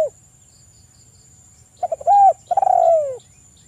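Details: Spotted dove song used to stimulate other doves to sing in the morning and evening: a few short stuttering notes, then a long mellow coo falling at the end, over a faint steady high hiss.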